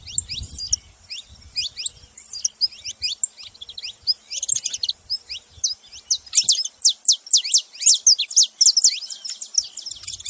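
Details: Saffron finches chattering in a busy stream of thin, high chirps, mostly steep downslurs, overlapping and irregular, louder and denser toward the end; faint low thumps at the start.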